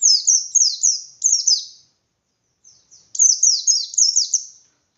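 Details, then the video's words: White-eye singing a vigorous ngalas-style song meant to rouse other white-eyes to answer: two bursts of high, thin, rapidly repeated downslurred chirps, each lasting under two seconds and separated by a short silence. "Burung Pleci Gacor Pendongkrak Emosi Pleci Lain"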